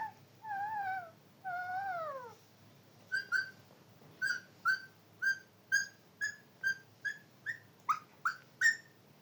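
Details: Parrot whistling: two wavering, up-and-down whistled phrases, then a run of short, bright, harmonic notes repeated roughly every half second. The notes speed up and rise slightly toward the end. Quiet room background.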